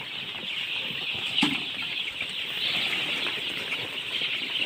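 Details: Chorus of baby chickens chirping, dense high peeps overlapping continuously, with a brief louder knock or flutter near the middle.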